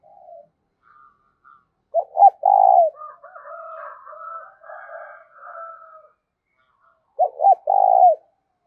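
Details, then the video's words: Spotted dove decoy calling, urging and calling coos: a soft opening note, a loud low coo phrase of quick hoots and a long note, a stretch of quieter rough chattering notes, then another loud coo phrase. "tiếng chim cu gáy Mồi thúc và gáy gọi"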